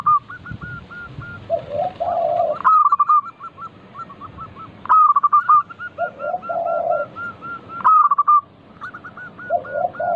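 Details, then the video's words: Local zebra dove song used as a lure for other doves: phrases of quick, evenly spaced cooing notes recur about every three seconds, each preceded by a lower rolling, purring coo. "Pancingan burung perkutut lokal gacor - 100% bikin cepat bunyi langsung nyaut manggung"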